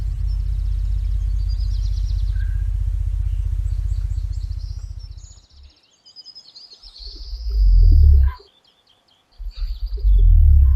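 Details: Cassowary giving deep, very low booming pulses, a long rumble and two short swelling booms, among the lowest-frequency sounds of any bird, carrying far through dense forest foliage; faint high bird chirps above.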